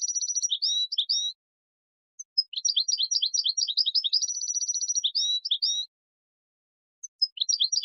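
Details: European goldfinch song recorded for teaching young goldfinches to sing: fast tinkling, twittering phrases of high liquid notes and rapid trills, broken by short pauses, with no other sounds.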